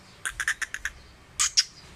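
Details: A tame, fearless Sindhi black francolin (kala teetar) gives a rapid run of six harsh, scratchy clicks, then two louder grating notes a moment later.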